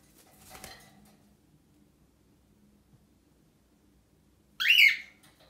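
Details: A happy cockatiel gives one loud, bright, squeaky chirp that sweeps up and then down in pitch.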